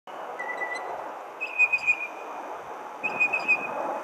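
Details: Northern mockingbird singing in a parking lot on a weekday evening in early June, Arlington, Virginia: two long, thin whistled notes separated by pauses, with steady traffic rumble underneath.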